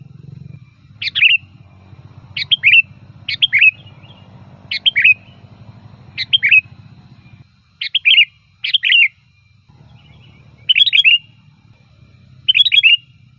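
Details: Sooty-headed bulbul singing as a lure to draw in bulbuls: nine short, bright two-part phrases repeated every one to two seconds, with a low droning hum through the first half.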